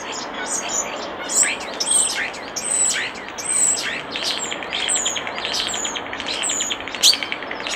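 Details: Common starling at a nest box: high thin whistles mixed with rattling clicks and rising squeaks in a steady, jumbled stream, over faint background noise.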